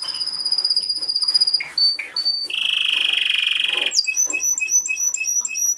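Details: Male Timbrado Español song canary, runner-up at the 2013 German championship, singing metallic trills: high sustained tones, a dense buzzy rolling passage, then rapid clipped repeated notes.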